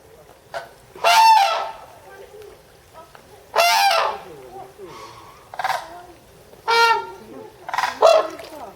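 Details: Red-crowned crane at Higashiyama Zoo and Botanical Gardens, Japan, recorded June 2010: loud harsh trumpeting calls with rich stacked harmonics, repeated in bursts about every two to three seconds, with softer notes between.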